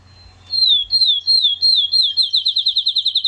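A Field Sparrow sings sweet, plaintive whistles: a few longer slurred notes that speed into a rapid bouncing trill, all high-pitched and clear.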